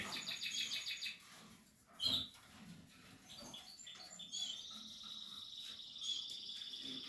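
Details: Portuguese harlequin canary during nesting: rapid high trills and rolled phrases, a sharp knock midway, then a long steady buzzy trill through the second half.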